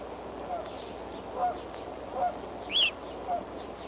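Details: Bald eagles, a pair perched on the Y branch near their nest at Decorah, 3 March 2013, around 9:00 am. A single loud, high, sharply descending chirp stands out near the end over soft low notes repeated about once a second and steady background hiss.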